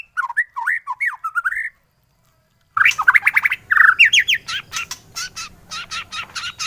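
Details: White-rumped shama song used for training other birds to sing: melodious looping whistles, a pause, then rising whistled phrases and a fast series of sharp chips.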